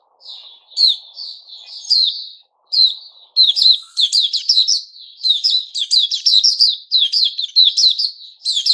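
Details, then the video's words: Puteh Raja, the white-crowned shama, in its season of new feathers, 6 September 2021: a few slurred whistles, then a long run of dense, rapid warbling with sharp high chips and quick rising and falling notes. "Puteh Raja season new feathers"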